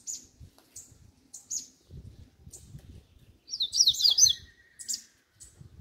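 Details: Double-collared seedeater giving scattered short high chips, then a brief burst of its 'grego' style song: quick buzzy zigzag notes, with soft low knocking and rustling beneath.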